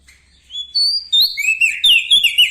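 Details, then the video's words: Bar-winged prinia singing loudly and energetically: a brief phrase of rising thin whistles that runs into fast, high, twittering chirps. "Prenjak Daun Lombok gacor Mental Juara Nempel Sama Burung Besar Suara Nyaring"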